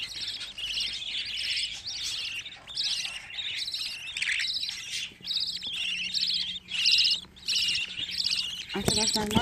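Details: Fifteen captive budgerigar chicks gathered in one place give a chorus of high, harsh chirps repeated at an uneven pace. The calls are layered and overlap, with a brief sharp noise near the end.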